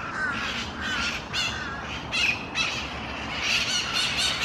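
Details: Mitred parakeets feeding on seeds at Fuch's Park, Miami-Dade County, Florida, December 4, 2016: harsh, grating squawks in overlapping bursts, some sharply screeched, from several birds chattering at once over a soft background hiss.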